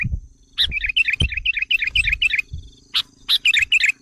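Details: Bulbul lure for provoking wild sooty-headed bulbuls: a rapid chattering run of bright, bouncy chirps about four per second, broken by a sharp click, followed by scratchy chips and a few more chirps.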